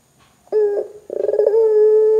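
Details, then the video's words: Barbary dove in full voice, a call meant to get other doves calling: after a short silence, a rough rolled opening, a brief pause, then a bubbling trill running into a long, steady, mellow coo. "suara PUTER gacor Bikin PUTER Lain dengar cepat IKUT BUNYI"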